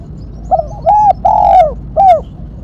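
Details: One cooing phrase from a spotted dove in the sharp 'mercik kuk 1' style, recorded for luring and training: a brief opening note, a held coo, a longer sliding coo dropping in pitch, and a closing coo.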